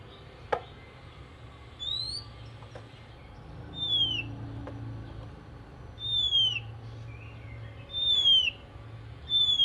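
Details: Oriental magpie-robin singing in the morning, a song said to prompt other magpie-robins to sing: clear, sweet whistled notes sliding downward, repeated about every two seconds, over a low background hum.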